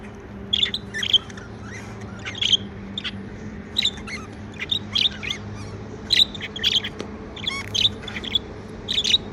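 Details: Pet budgerigars chirping happily: rapid bright chirps around the upper-middle range in repeated short bursts, about one or two each second, over a low steady background hum.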